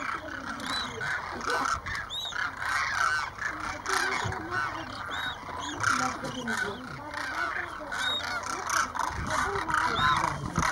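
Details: Roughly 2,500 demoiselle cranes flying overhead and coming in to drink at a small lake at Keechan, Rajasthan, India, in January 2016, a roosting site, give a dense, continuous chorus of rolling, trumpeting croaks, many voices overlapping.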